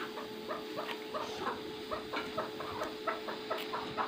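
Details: Chukar partridge, first-cross Maskati type. Short clucking notes repeated rapidly in an uneven chattering series, about three to four per second, over a steady low electrical hum and background hiss.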